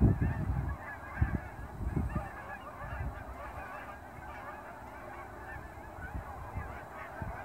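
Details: Canada geese by the hundreds flying from ponds to grain fields just after sunrise in fall near Dawson Creek airport; busy overlapping honking, strongest in the first two seconds, then a softer continuous flock chatter.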